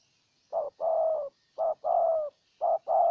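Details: Spotted dove decoy cooing in Ninh Thuận, Vietnam, to subdue a wild bird. Three evenly spaced pairs, each a short coo and a longer coo that slides slightly downward, about one pair per second.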